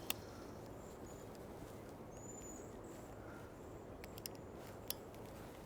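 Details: A flock of Cedar Waxwings in leafy trees at a marsh on 27 May 2024, between May showers, give thin, very high, hissing whistles, several faint seee notes, over a steady broad background hiss with a couple of sharp handling clicks.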